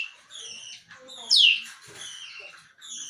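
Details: Grey parrot said to be talking, giving high, harmonic whistled notes with a loud downward-sweeping squeal in the middle and further whistles toward the end.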